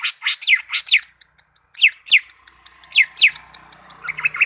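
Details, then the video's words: Greater green leafbird from Malinau delivering loud, rapid descending whistles in pairs, ending with softer twittering notes and a faint background hum. "Cucak ijo mania malinau"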